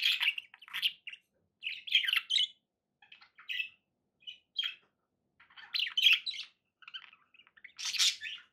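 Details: Budgerigars kept as pets chatter in repeated short phrases of squeaky, warbling chirps and clicks, separated by brief silences, with a loud harsh squawk near the end.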